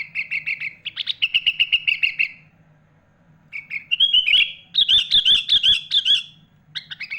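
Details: Sooty-headed bulbul in lively full song rich in mimicked phrases of other birds such as magpie-robin, kept as a tutor recording for young and adult birds: fast runs of bright chirps, a pause, then louder slurred whistled notes with a faint low hum beneath.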